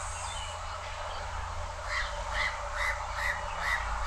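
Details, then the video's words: A house crow perched high at Changi Beach Park, Singapore, calls loudly, giving five short, harsh caws in quick succession, about two per second, over a steady low rumble of wind or distant traffic. "HOUSE CROW Call"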